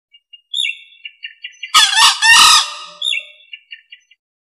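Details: Male green junglefowl used as a lure call: a harsh, hoarse two-part crow bursts out mid-clip, framed before and after by short, thin chirping notes repeated at uneven intervals.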